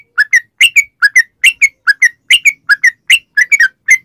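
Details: Sooty-headed bulbul lure song: crisp whistled notes grouped in twos, a falling note followed by a higher one, repeated briskly and regularly in a clean recording.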